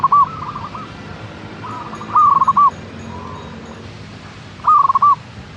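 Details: Local zebra dove (perkutut) used as a lure to stimulate caged birds to sing: short bursts of rapid, staccato cooing notes in a quick rolling series, three main phrases with fainter answering doves behind.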